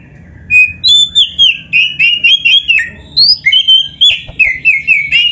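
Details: A loud, unbroken stream of whistles from a vigorously singing oriental magpie-robin full of filler phrases, with sweet slurred notes mixed with rapid chattering.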